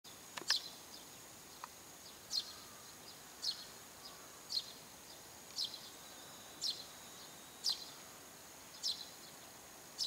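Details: Eurasian tree sparrow calling from a rooftop around 7 a.m., giving short, sharp chirps about once a second, steady and unhurried, over a constant thin high-pitched whine.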